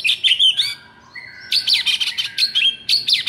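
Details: Vigorous white-rumped shama song, used to draw silent shamas into singing: loud bursts of jumbled high whistles and chattering notes, broken by a steady lower whistled tone, then further energetic varied phrases.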